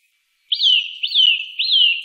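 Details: Three loud, piping whistles from a Eurasian nuthatch, spaced about half a second apart. Each note flicks up briefly, then glides downward. The background is quiet.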